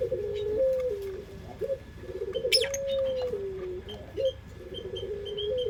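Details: Puter pelung, a Barbary dove, sings as a lure: repeated drawn-out low coos with sliding drops and brief upward flicks, while small birds chirp and twitter softly in the background.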